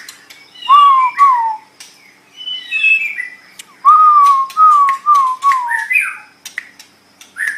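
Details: Caged white-rumped shama singing loud, clear descending whistles, several slurred notes linked in a row, interspersed with sharp clicks and higher chirps.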